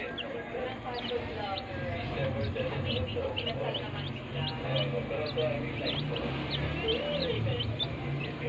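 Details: Many healthy baby chicks in a brooder give fast, high chirps, about two to three a second. A low droning hum runs beneath the flock.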